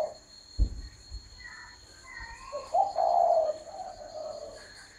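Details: A spotted dove gives one strong, hollow coo phrase after a brief rising note, followed by softer fading coos, with a thump and faint speech early on.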